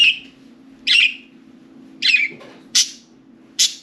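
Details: Caged budgies, four birds playing and chattering in and on their cage; separate sharp chirps and short warbling notes roughly every second over a faint constant hum.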